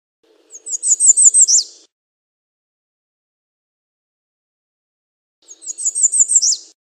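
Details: American redstart repeating its song twice: a rapid string of five or six high, lisping notes ending with a sharp downward slur, with a long quiet gap between phrases and a faint low hum.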